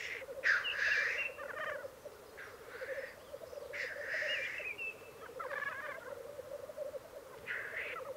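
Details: Black grouse at a display lek in the Piedmont Alps, Italy: continuous low bubbling rookooing chorus, broken by several harsh hissing bursts and short gurgling phrases.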